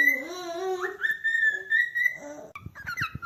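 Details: A calling cockatiel starts with low, wavering harmonic notes rising into a long high whistle, then breaks into quick, scratchy chirps accompanied by soft tapping noises.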